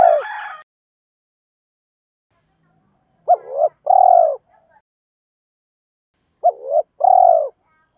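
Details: Decoy spotted dove cooing to draw in wild birds and provoke rivals. A brief noisy burst opens, then two well-spaced phrases follow, each a quick hooked coo and a drawn-out, throaty, slightly falling coo, about three seconds apart.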